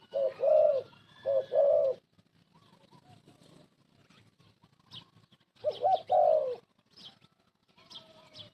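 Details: Old spotted dove kept as a decoy to lure birds for trapping, giving low, mellow, rolling coos in paired bursts. One phrase opens the clip and another follows after a quiet gap, with faint high chirps from other birds.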